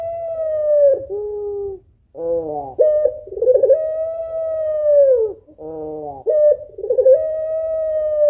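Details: Puter pelung female African collared dove calling for a male, giving repeated long sustained coos that drop at their ends, each separated by a nasal, reedy note and a fluttering rolled phrase; quiet background.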